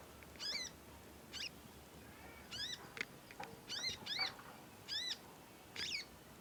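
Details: Immature conin in learning stage chatters persistently: bright, high, bent squeaks in ones and pairs, spaced unevenly about once a second, over a faint steady hum.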